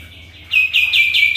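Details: A sooty-headed bulbul in full lively song used as a lure, a quick burst of bright, evenly repeated high notes following a short hush.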